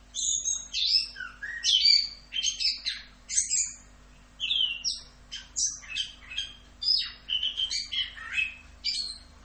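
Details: Nonstop 'rock'n roll' style song of an orange-headed thrush, a dense stream of high sharp chirps, slurred whistles and scratchy notes in clustered bursts with brief pauses; steady faint hum in the background.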